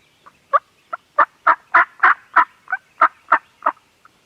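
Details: Turkeys on a farm gobble in a steady burst of about thirteen throaty pulses, roughly three per second, loudest in the middle and tailing off softly, captured with a Canon G7X camera.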